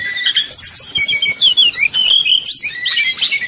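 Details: Brown-chested jungle flycatcher whistling in 'nyuling' style, a lure to make rivals sing: overlapping high slurred whistles and short chirps, continuous and irregular, ending in a brighter burst.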